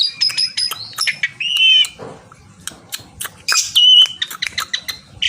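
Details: Javan pied starling, a songbird kept for song, calling out to a rival: loud varied whistles, harsh chattering bursts and sharp clicks in uneven phrases, with a short pause near the middle.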